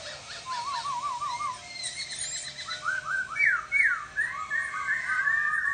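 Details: Chattering laughingthrush song: a quick wavering whistled trill, then bright upslurred and downslurred whistles building to loud ringing notes and a busy warbled ending.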